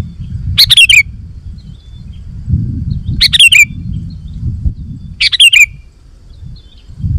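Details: Sooty-headed bulbul singing actively, used to lure wild bulbuls into answering: three short chirpy phrases of bright descending notes, about two and a half seconds apart, over a low rumbling background.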